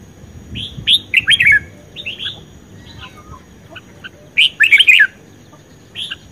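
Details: Red-whiskered bulbul in contest singing, a keen captive bird: loud rich warbled phrases in two clear bursts, each a quick run of rolling notes, with short quieter notes between and a faint thin whine underneath.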